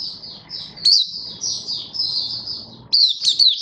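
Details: Malaysian white-eye singing on 27 February 2023: sustained, thin, high warbled notes with sharp bright accents, over a steady low background murmur.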